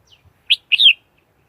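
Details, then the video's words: Red-whiskered bulbul giving a sharp chirp followed by a longer slurred warble that rises then falls, bright and clear with nothing else audible. "Tiếng chim chào mào"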